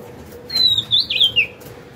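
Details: Oriental magpie-robin, caught wild and caged two years, sings readily when hung: a clear whistled phrase, a long steady note stepping down into quavering warbles and a final falling note, background quiet.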